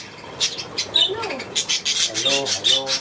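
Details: A budgerigar pair from East Frisia chatters in rapid high twittering notes with scratchy, rasping elements, growing denser toward the end, with faint low voices underneath.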